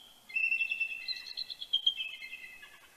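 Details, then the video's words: Mated bald eagles greeting each other before dawn at Big Bear, California, October 2019: one long run of fast, high, piping chatter notes that climbs slightly then trails off, in a quiet setting. "Morning Chortles & Greetings"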